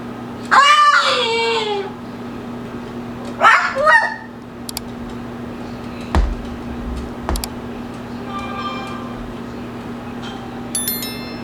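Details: Pet male Moluccan cockatoo kept indoors, running around and jumping, gives two loud harsh screeching calls with a steady hum behind them and a few knocks.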